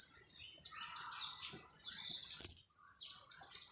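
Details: Two-week-old young blue-crowned hanging parrot, kept for luring wild birds, giving continuous thin, very high squeaky chirps that run together, with one louder shrill burst past the middle.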